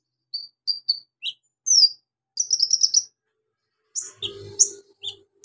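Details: Javan magpie-robin (konin) singing in a varied style that the keeper says carries mimicked lovebird, cricket and golden grasshopper phrases: short high whistled notes, then a rapid buzzy trill, then sharp chips, with a low hum near the end.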